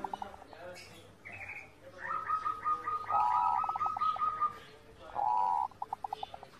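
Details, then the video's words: Master song of a zebra dove for training other birds to sing. Short clipped notes lead into a long series of fast rolling coos, a pause, a second loud purring phrase, then a few spaced soft taps. "masteran perkutut, perkutut gacor"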